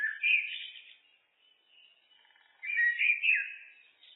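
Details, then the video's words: Common blackbird pouring out a mellow warble, fading into soft, thin notes, then launching a second, louder fluted phrase with a downward swoop. "Blackbird, Turdus merula, birds"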